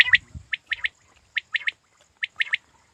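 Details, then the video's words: Hunting quail calling: sharp, high chirped notes in quick groups of three, each trio about 0.8 seconds apart, repeated three times with brief low rustling at the start. "Shikari batair ki awaz"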